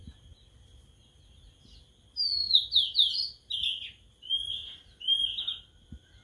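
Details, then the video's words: Sulingan laut (tledekan laut), a newly kept caged bird singing after only three days of care: after two quiet seconds, a run of high, bright, slurred notes in quick descending clusters, then two short rising warbled phrases separated by brief pauses. "Baru Dirawat 3 Hari Sudah Mau Ngeplong🥰🥰🥰 Burung Sulingan Laut/Tledekan Laut"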